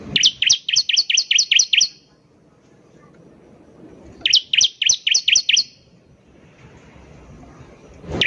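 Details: Bar-winged prinia, known as ciblek, singing steadily: two bursts of roughly eight sharp, high, evenly repeated chirps at about four per second, split by a quiet pause.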